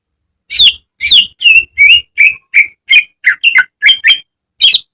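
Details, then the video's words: Caged greater green leafbird singing in a training recording for cage birds: loud, rapid series of varied chirps and sharp whistled notes, roughly two to three per second, some scratchy and some clear and slurred. "Masteran cucak ijo agar cepat rajin bunyi~gacor setiap hari"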